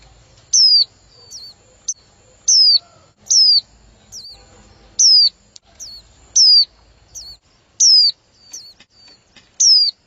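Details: Female white-eye calling to stimulate a male: high, thin whistles that dip sharply then hook back down, repeated roughly every one to two seconds, with softer faint chips in between and a quiet background.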